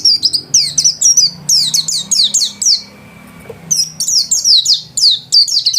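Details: Home-kept white-eye singing vigorously: dense bursts of very high, sharply descending whistled notes and trills, broken by a short pause near the middle, with a low steady hum underneath.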